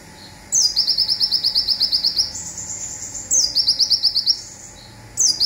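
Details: High-pitched zipper song of a local olive-backed sunbird, kept for training other birds: a quick downward slur then a long, fast run of about a dozen crisp notes, followed by a sustained thin tone and another shorter burst.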